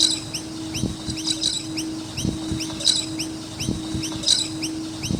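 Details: Noisy miner birds chirping around a skate park, many quick high rising-falling notes repeated throughout, with occasional louder chirp clusters, plus a constant low hum and scattered low thuds.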